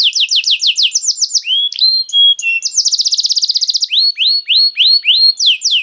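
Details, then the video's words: Canary song used as bait to make other canaries start singing: rapid trains of descending whistled notes, a fast buzzy trill, then rising looped notes repeated in quick succession, loud and clear with no other sounds. "The Most Powerful Bait || Voice of Canary"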